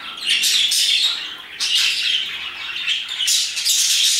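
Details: Parakeets in an afternoon chorus near 2pm, rasping high chirps and squawks coming in three loud surges over a few seconds.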